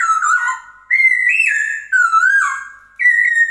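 A Chinese hwamei sings loud, rich whistled phrases that slide up and down, each about a second long, separated by short pauses.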